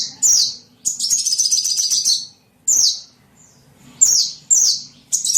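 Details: Small bird calls used as a lure to attract small birds: sharp high downslurred chirps in short bursts, with a longer buzzy chattering trill near the start and quiet pauses between phrases.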